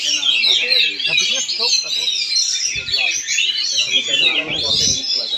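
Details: Oriental magpie-robin at a bird-song competition in Central Kalimantan: rapid, loud, high-pitched jumble of whistles and chatters without pause, with crowd voices and a few low thumps.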